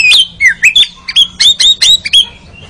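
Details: Oriental magpie-robin (kacer) therapy song for training kept birds to chatter 'ngeriwik': a fast run of about ten sharp, clipped whistled notes, loud and evenly spaced.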